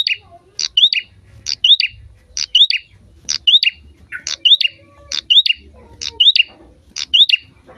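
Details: Prinia singing actively, used to prompt other birds into song: a sharp high note followed by an upslurred whistle and short trill, repeated about once a second in steady phrases, with faint low rumbling underneath.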